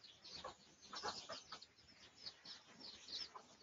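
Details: A red junglefowl, in a research clip from 18 August 2023, gives soft, short clucks in loose bursts over a few seconds, faint against a hissy outdoor background with high chirps.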